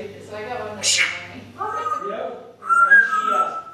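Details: African grey parrot mimicking, a bird known for cussing, burping and coughing: speech-like voiced phrases with stacked harmonics, a hissing burst near the first second, then a clear, steady whistled tone to finish.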